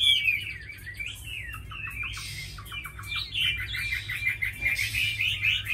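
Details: Chinese hwamei, a caged fighting bird, singing loud slurred whistles mixed with quick repeated chips and buzzy bursts, phrases shifting rapidly; steady low background hum.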